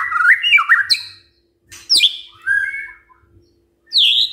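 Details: Morning white-rumped shama song meant to stir silent birds into answering: quick whistled twists, a gap, then a sliding high note, a mellow falling phrase and a bright high whistle at the end.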